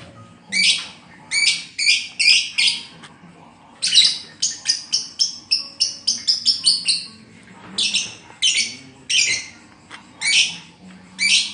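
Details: Caged lovebird, said to be moulting, with its song described as collapsed or short-circuited, giving harsh, buzzy high chirps in quick bursts of two to five notes, then a longer rapid chattering run in the middle.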